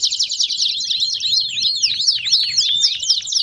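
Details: Canary in rowdy 'baderna' style song, played to warm up other canaries: dense, fast chattering of downslurred high notes and quick trills, about four notes each second, with no pause.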